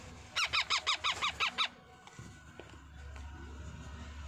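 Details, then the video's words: Baby parrot being fed: a quick burst of about eight harsh, nasal, pulsing squawks, close to three per second, lasting over a second, then quiet with a low background hum. "baby parrot feeding"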